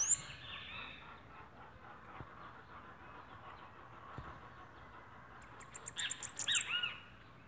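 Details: Bananaquit (sibite) song from northeastern Brazil: a short, very high, rapid series of thin ticking notes near the end, with softer lower arched chirps beneath and quiet background hiss.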